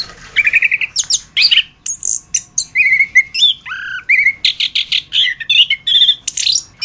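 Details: Masteran song of the orange-headed thrush (anis kembang): a rising whistle, then a busy run of varied whistles, buzzy notes and sharp high chirps.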